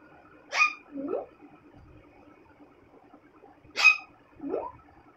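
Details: Pet talking parrot indoors saying the words "mitthu guddu": two short vocal phrases, each a sharp harsh burst followed by a lower rising syllable, repeated about three seconds apart in a quiet small room.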